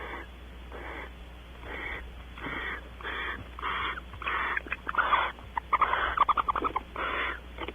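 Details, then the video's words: Barn owls mating on a porch at Audubon Starr Ranch, California, the female trying to keep the male before he leaves and she follows; rough, breathy hissed screeches repeat about once a second, with quick chittering bursts in the middle. "Mating on the porch, she tries to keep him, he leaves, then she does - Audubon Starr Ranch Barn Owls"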